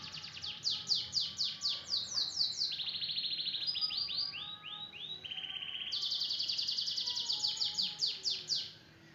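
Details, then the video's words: Singing canary, full 'tembakan' delivery: a run of quick high swept notes, a lower rolling trill and descending swoops, then another long fast high trill of repeated notes, very rapid and sustained. "SUARA KENARI FULL TEMBAKAN."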